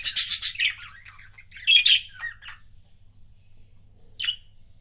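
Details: Pet budgie pairs give a loud burst of harsh, squawky warbling, then a few chirps, a long pause and one final sharp squawk, in a quiet room.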